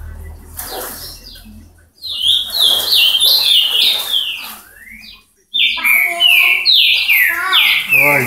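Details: Ultramarine grosbeak in Paraná, Brazil, singing two bursts of clear, slurred whistles that fall in pitch, delivered quickly and sweetly, with a soft background hiss and a brief lower murmur.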